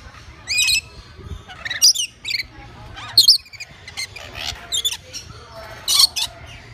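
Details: Captive lorikeets at a zoo exhibit, loud grating screeches and harsh squawks in separate bursts about every second, with softer chatter between them and faint low hum behind.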